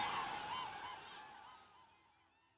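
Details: Wintering cranes at Lake Hula nature park, northern Israel: a rolling, bugling call with rich overtones, repeated several times and fading away into the distance.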